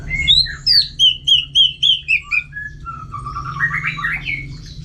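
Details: Orange-headed thrush kept in a cage at home in North Bali for contest training sings a bright series of about eight clear, slurred whistles in quick rhythm. This is followed by softer, lower warbling phrases over faint hum.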